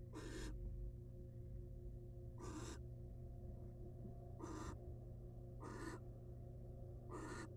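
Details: Wild barn owl mother brooding eggs in a research nest box; five broad, breathy screeching hisses about every one to two seconds, each roughly half a second long, above a steady low-pitched hum.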